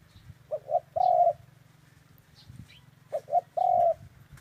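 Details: Dove cooing: two short soft coos followed by a longer, steady drawn-out coo, the whole phrase given twice about two and a half seconds apart, over a constant low mechanical hum.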